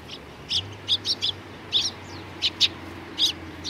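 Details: Sparrows of the tree sparrow kind at food at a Tenmangu shrine, 19 April 2019; bright chirps often paired in quick doublets, spaced irregularly, with a soft low hum underneath.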